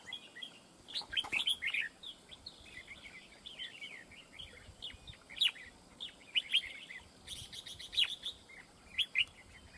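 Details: Wild-caught red-whiskered bulbul at a fight trap, singing a near-continuous stream of quick chirping, warbling phrases with loud accented notes scattered through, against faint background noise.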